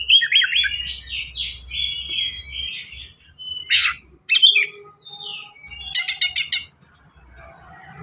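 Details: White-rumped shama with fast song for tutoring young birds: quick warbled whistled phrases, then loud explosive bursts and a clipped rattling series of sharp notes, soft low hum beneath.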